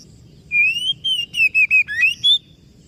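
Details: Oriental magpie-robin singing a slowly rising sweet whistle, then a rhythmic series of about six short whistled notes, a dip and a final higher note, over a faint low hum.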